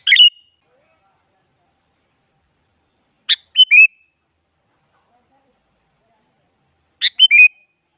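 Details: Lure call of a female sooty-headed bulbul calling a male, to prompt a silent bulbul to reply: three short bubbly phrases several seconds apart, each a sharp note and quick whistled twitters.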